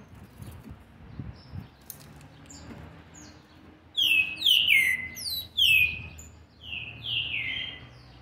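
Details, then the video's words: Seven-month-twenty-day-old young green-winged saltator, described as a fierce type, sings clear descending whistled phrases in quick runs during the second half, after several seconds of quiet rustling. "trinca ferro ( BRABO ) FILHOTE DE SETE MESES E 20 DIAS JÁ MOSTRANDO SUA GENÉTICA"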